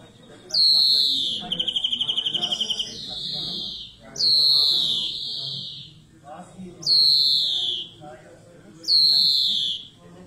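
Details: Greenfinch singing a series of four drawn-out, downward-sliding nasal wheezes roughly two seconds apart. A fast rattling trill follows the first wheeze. Faint low rumble and murmur in the background.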